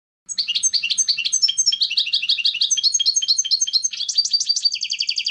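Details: European goldfinch in clean competition song (canto limpio) for training novice birds: continuous bright twittering with repeated chirped figures, ending in a quick steady trill; slight low hum in the background.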